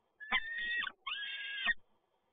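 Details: Male peregrine falcon delivering prey at PGE Toruń, Poland, 7 May 2022; two long, harsh, harmonic-rich wails of about 0.7 seconds each, with a short gap between them.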